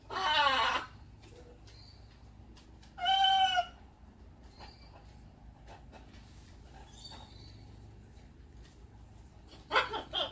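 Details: Blue-and-gold macaw outdoors in the morning, with a red-tailed black cockatoo nearby, gives three loud, harsh, raspy squawks, each under a second, spaced several seconds apart against a quiet background.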